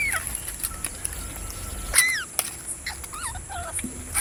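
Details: Parrot giving clear whistles: a long flat tone, a loud downward-sliding note at two seconds, then wavering warbled whistles, all over a constant high hiss.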